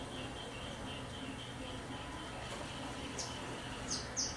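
Blue-and-white swallow giving a few thin, high buzzy notes near the end, over a steady low hum and faint repeated chirping.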